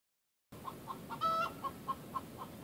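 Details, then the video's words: Rhode Island Red hen singing the egg song, given when she or a flockmate lays an egg: a row of short clucks about every quarter second, broken by one long drawn-out squawk in the middle, over steady background hiss. "Egg Song"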